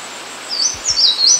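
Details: An Eastern crowned warbler on a birding walk in Kita-Harima, Hyogo, Japan, gives three high, thin chittering notes, each quickly wavering up and down in a rapid chi-chi-chi pattern, with faint ambient hiss behind.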